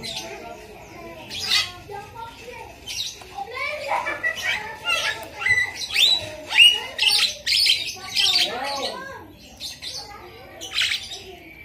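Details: Asian pied starling song with lovebird mimicry: a varied jumble of harsh squawks, buzzy bursts and short rising and falling whistles, loosely repeated over about twelve seconds.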